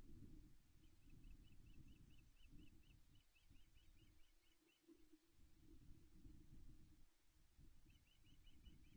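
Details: Osprey pair at a Loch Arkaig nest, Scotland, 17 May 2021, around mantling and a successful mating in the morning, gives a rapid run of about fifteen high, thin chirps, then another brief burst, over steady rumbling wind.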